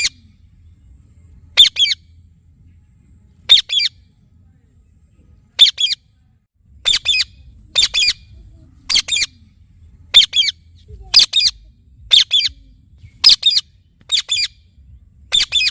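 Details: Indian ringneck parakeet, a talking parrot, squawking repeatedly: short harsh paired screeches, sparse at first, then coming roughly every second toward the end, over a quiet low hum.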